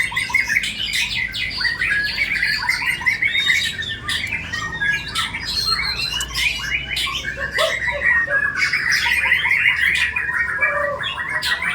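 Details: Murai batu (white-rumped shama) bowing and singing hard, its very sharp song packed with isian fill-ins; rapid chattering trills, high whistles and repeated staccato notes flow continuously with brief clicks between phrases.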